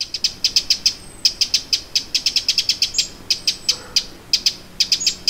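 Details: Eurasian wren scolding at Lake Vänern, Sweden, end of July 2017: loud dry ticks in quick clusters, with a faint thin whistle from another bird in the background.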